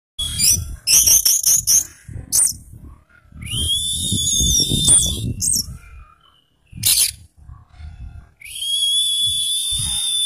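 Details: Caged orange-headed thrush, dazed after being made to exercise. It gives sustained whistled notes near a steady pitch, with a slight rise and shimmering overtones, between bursts of sharp clicks and low thumping handling noise.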